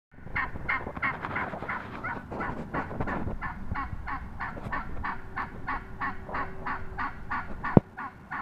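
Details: Wild turkey hen recorded up close on March 22, 2017, giving a long series of rapid, evenly spaced yelps, roughly three per second, over a low background rumble.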